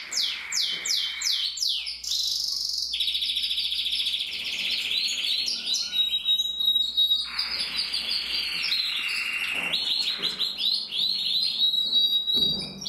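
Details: Male canary of the red agate mosaic colour variety from a canary breeder, singing a continuous high song of rapid trills, sweeping whistles and long sustained tones, with a faint low hum beneath.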